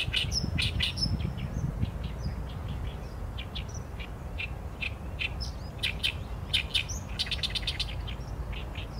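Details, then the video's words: Oriental reed warbler in full song, recorded with a Sony A7M3: a long sequence of harsh, croaking and chattering notes, some rapid trilled runs, with brief high whistles and a persistent low-frequency rumble beneath. "개개비 - Acrocephalus orientalis - 大苇莺 - bird song"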